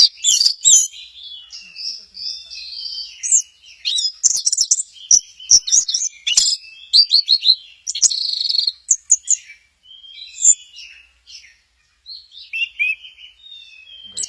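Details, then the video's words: Orange-headed thrush, a caged bird kept in Kesamben, singing in a varied, rapid medley of high whistles, chirps and buzzy trills with short pauses between phrases; faint human voices nearby. "Burung Anis merah, lagi goyang inul"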